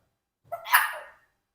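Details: Four-year-old pet Congo African Grey parrot producing a sneeze, one of several fake sneezes compared with a real one; a single short, breathy burst with a sharp onset that fades over about half a second.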